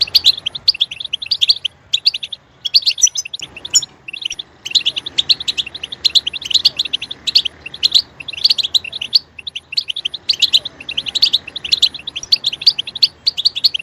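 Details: European goldfinch delivering bursts of rapid, high, chattering twitters in short phrases separated by small gaps, with one longer pause near the four-second mark.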